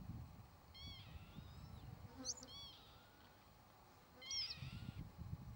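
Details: Mewing, downslurred calls of a Northern lapwing, three main notes with jumbled high squeals overlapping the later ones, with soft wind rumble at start and end.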